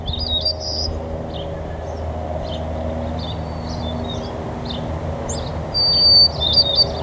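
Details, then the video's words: White-crowned sparrows at a cemetery on 25 November 2020, giving short high chips and thin whistled notes scattered irregularly, with a brighter sharp call near the end; steady low traffic rumble underneath. "White-crowned Sparrows"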